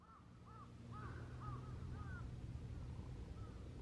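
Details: Several Eurasian wigeon give clear, arched whistles, about two each second, in December on the Kanto Plain, Japan, over a steady low rumble.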